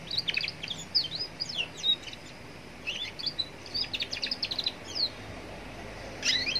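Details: Roadside recording of a young Atlantic canary whose song is used to provoke other canaries into answering; bright, fast twittering phrases and buzzy trills in repeated bursts over a steady hum of background noise.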